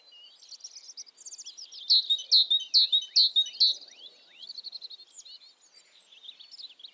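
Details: A tit gives a burst of five loud, ringing down-slurred notes in quick succession, framed by softer twittering and chirping from other birds before and after.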